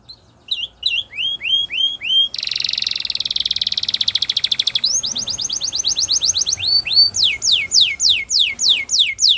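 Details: A Spanish Timbrado canary, recorded as a training song, opens with scattered falling notes. It moves into a dense buzzing roll, then a fast string of rising whistles, and ends with slower, wide downward sweeps.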